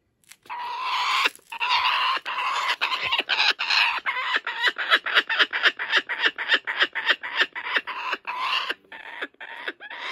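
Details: Laughing kookaburra at a wildlife sanctuary, racing off with a stolen joey's toy and refusing to give it up, laughing maniacally: loud harsh cackling that builds into rapid, pulsing ha-ha notes, many per second, across ten seconds.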